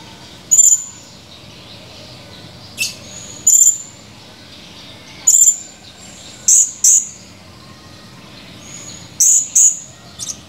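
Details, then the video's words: Male blue-crowned hanging parrot recorded 17 July 2020: very high, thin, sharp chirps, single or in quick pairs, spaced irregularly a second or two apart over faint low background hum. "Burung Serindit gacor, tinggal kenangan // Serindit birds chirping, only memories"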